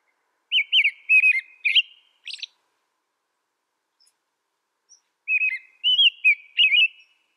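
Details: Whistled caroling from an American robin: a string of looping, slurred notes followed by a higher squeaky note, a pause, then a second similar phrase.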